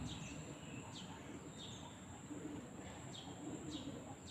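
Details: Birds in Penang: faint, high chirps that sweep sharply downward, repeated about every half second to second, over a soft low murmur and a steady thin high-pitched whine throughout.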